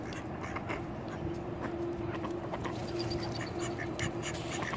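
A mallard drake gives low, raspy, repeated quacks while defending its ground, over a steady background rumble with scattered clicks and faint higher sounds.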